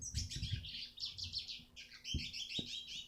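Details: Eurasian siskin song recorded to train other birds: quick, high twittering phrases with buzzy chirps. Low thumps and knocks come through in the background.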